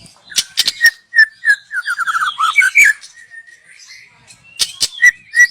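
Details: Young wild white-rumped shama from the forest, recorded for use as a lure; varied whistled phrases around mid pitch, a quick descending trill of slurred notes, sharp clicks between, short whistles ending the passage.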